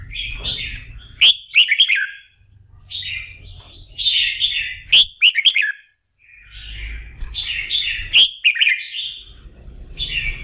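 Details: Red-whiskered bulbul singing in morning voice practice, meant to fire it up for singing contests; short bright warbled phrases of rich whistled notes in three bursts roughly every four seconds, with sharp clicks and faint low rumble between.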